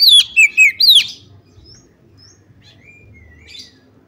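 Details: Female Oriental magpie-robin calling to get other magpie-robins singing loudly; four quick loud slurred notes, falling from high pitch and dipping, then near silence with a faint, thin drawn-out whistle.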